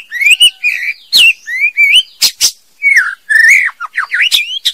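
A female white-rumped shama sings rich, varied whistled phrases that rise and fall, broken by sharp clicks and brief buzzy notes in quick succession.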